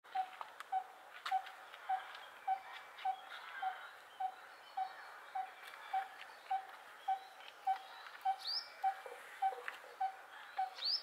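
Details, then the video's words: A Coppersmith barbet gives a steady, hollow metallic 'tuk' almost twice a second, like a tapping hammer; a brief rising chirp from another bird near the end. "Coppersmith Barbet calling"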